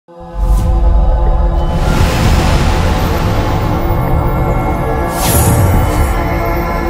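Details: Loud, dark soundtrack-style music with sustained tones and swells, no animal voices.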